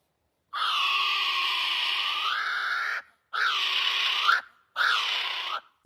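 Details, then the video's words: Kiwi gives three harsh, hissing, monster-like screeches, the first over two seconds long and the next two shorter, each bending up then down in pitch. "Kiwi Bird: Small Monster"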